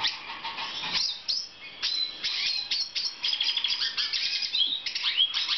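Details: Breeding black siskin, 2014: a fast, scratchy twittering song. Clusters of sharp high chirps and buzzy trills are broken by brief pauses, then rising slurred whistles.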